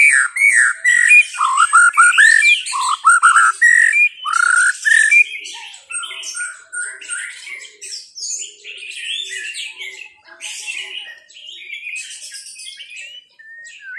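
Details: Loud, rich song of a white-rumped shama: a string of fluty, slurred whistles rising and falling over the first five seconds, then softer mixed chatter, ticks and thin high notes with brief pauses.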